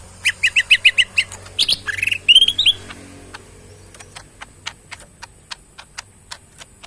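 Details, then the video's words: Tame pet cucak mini bulbul in a cage, fed banana, chicken feed and crickets: a quick string of high, evenly spaced chips, then looping warbled whistles, followed by a run of crisp regular clicks. "burung cucak mini gacor full yang terbaik"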